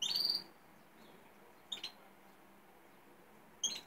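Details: Wild European goldfinches heard outdoors among neighbourhood cypresses, beyond a canary-breeding room: three brief bursts of high, tinkling twittered notes, spaced a couple of seconds apart, against a quiet background.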